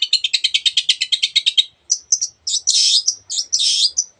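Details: Lively Long-tailed shrike song full of imitated bird sounds: a fast even run of sharp ticking notes for about a second and a half, then squeaky high whistles and louder burry bursts.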